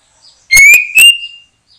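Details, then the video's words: White-rumped shama being lured for trapping in a backyard: a brief phrase of two loud, clear whistles, the first rising steadily, followed by a sharp note and a fading tail. "Mikat Burung Murai batu,,Sudah gacor dorrr"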